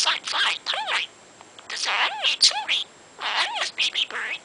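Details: Talking budgie speaking quickly in the morning, gravelly mimicked words with harmonic, vowel-like tones in phrases about a second long, broken by short pauses, plus thin high squeaks.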